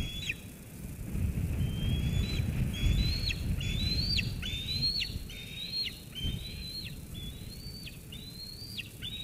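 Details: Eaglet at Sauces Canyon on 13 June 2021, squeeing at its mother after she brings food until she leaves, then eating. Thin, high squeals rise and then drop sharply, repeated about every half second over a low wind rumble.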